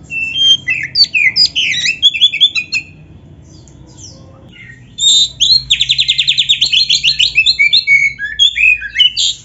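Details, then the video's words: 'Gacor full isian' song of an Oriental magpie-robin (kacer, black-breasted). Sharp choppy whistled phrases, a silent-seeming lull of about two seconds, then a loud rapid trill of repeated notes running into more varied chirps. "MASTERAN KACER GACOR FULL ISIAN"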